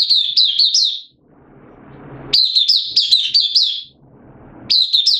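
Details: Oriental white-eye kept as a song bird, open singing on 8 September 2022, form dipped a little: three bright bursts of fast, high, looping twitters, each about a second, with quieter gaps holding soft low room noise.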